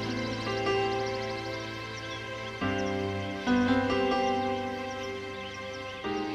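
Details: Gentle instrumental music with sustained layered tones and soft chord changes every few seconds; no animal voice is heard.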